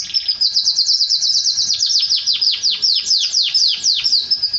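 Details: Canary song meant to prompt mating with a female: a short buzzy opening, then a long, even run of loud downward-sweeping notes repeated about three times a second.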